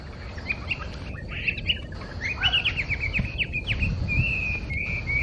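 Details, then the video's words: A wild Chinese hwamei at Ōkurayama Park sings a rich, varied run of clear whistles and slurred, rising and falling phrases, ending in a long steady whistle, over low rumbling background noise. "ガビチョウ_55_Chinese Hwamei"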